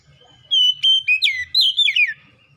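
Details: Oriental magpie-robin, locally kacer, delivering a lure song meant to get a lazy bird singing: a sustained pure whistle followed by swooping slurred notes that fall and twist, loud and clean.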